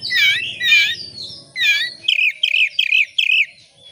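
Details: Oriental magpie-robin, a singing bird used as a lure to make other birds sing, giving loud whistled notes with strong harmonics, then a run of four repeated rising-falling chirps, faint low hum beneath.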